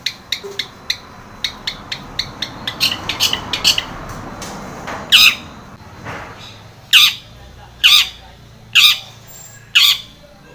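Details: Long-tailed shrike used as a lure to start a silent shrike singing: a string of dry clicking ticks, then five loud harsh squawks spaced about a second apart.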